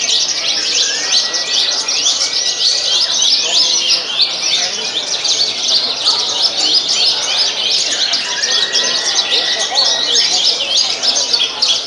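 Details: Caged Javan bush lark (branjangan) competing in the BOB class of a songbird contest at Piala Sukapura, Tasikmalaya, on 6 June 2021. Dense, continuous high twittering of rapid chirps, with a few drawn-out flat whistles and voices in the background.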